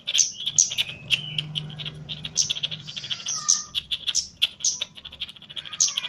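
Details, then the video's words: Caged Chestnut-capped laughingthrush from Java, kept as a training bird for mental conditioning, singing in lively gacor style: sharp high chips interleaved with thinner mid-pitched whistles and trills, delivered irregularly, over a low steady hum. "KEMADE JAWA GACOR"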